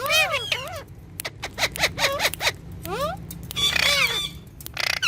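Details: Rose-ringed parakeet, a green ringneck pet talking parrot, chattering mimicked speech in quick, nasal, speech-like phrases with swooping rising and falling tones, ending in a brief harsh burst.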